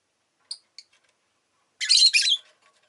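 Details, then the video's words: Two faint, high, clipped notes precede one long, loud, rasping chirp from a pet rosy-faced lovebird. "Lovebird Chirping Sounds"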